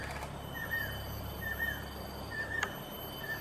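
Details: Male and female banded kingfishers calling: clear whistled notes, each slightly rising then falling, repeated roughly every 0.8 seconds against a noisy background with a low rumble and steady high tones.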